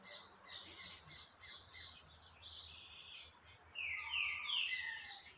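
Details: Saffron finch singing a lot on 20 October 2021: repeated high piercing chips at steady intervals, then a sequence of descending buzzy slurs, faint low hum underneath.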